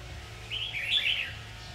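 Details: A single clear, rich phrase from a red-whiskered bulbul during trapping on 7 August 2019: a run of bubbly, slurred whistles that rises then drops, over a faint low hum.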